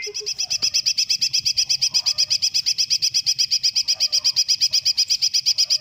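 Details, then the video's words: Greater green leafbird song in the full-filler style with long bursts: a rapid, very even series of high, clipped notes repeated several times a second for the whole stretch, bright and steady with no pause. "Suara Cucak Ijo Full Isian Tembakan panjang super mewah"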